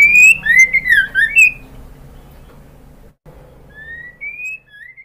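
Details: Calling female white-rumped shama: a quick run of loud, sliding whistles and chips, then a pause and a few soft, drawn-out whistles against a faint hum.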